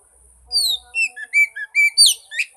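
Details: Oriental magpie-robin song played to coax a mute bird into singing: after a brief quiet start, clear whistled notes come in separate bursts, some descending and some rising, ending in a harsh, scratchy flourish.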